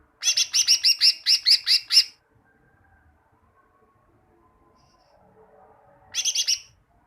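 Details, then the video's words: Greater green leafbird, cucak ijo, song used as a master recording for training caged birds: a fast run of about ten bright, buzzy high notes over two seconds, silence, then a brief burst of similar notes. "Masteran cucak ijo, masteran burung cucak ijo agar cucak ijo rajin bunyi"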